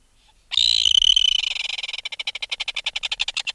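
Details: An adult red-billed tropicbird removed from its nest gives close-up alarm calls: a shrill, harsh scream breaking into a fast, even rattle of about seven or eight clicks a second.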